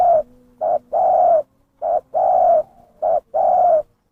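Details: Zebra dove lure call, short clipped notes paired with longer level coos, three pairs in quick succession, clear and close with a faint low hum.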